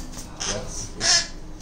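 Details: A 2.5-month-old baby Hahn's macaw in a pet store calls toward the camera: two harsh, raspy screeches, each under a quarter second, separated by a brief pause, with faint background murmur.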